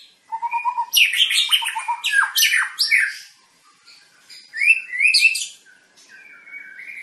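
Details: White-rumped shama of the long-tailed Medan type, during a pairing process for breeding: loud, varied song of rich whistled phrases, sharp downslurred notes and buzzy bursts, a low whistled opening, then quieter rising whistles.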